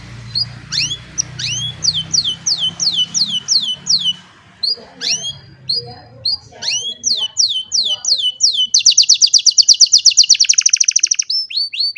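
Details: Canary song from an old bird on a sunny morning, captured with a cellphone: series of sharp descending whistles, brief pause, more slurs, then a fast ringing high trill, with a low hum underneath early on.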